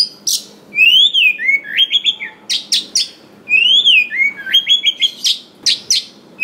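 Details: Song of a wild-caught Oriental magpie-robin, meant to provoke other birds of its kind to sing; a swooping whistled note leads into chirp clusters, and the phrase recurs twice.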